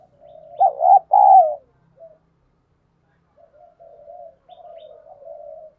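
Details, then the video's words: Decoy spotted dove provoking wild doves to fight. A single loud double coo sounds early, followed by a pause and then long, soft, wavering low cooing. "Chim Cu Mồi thúc đấu, cu gay kich boi nhanh noi"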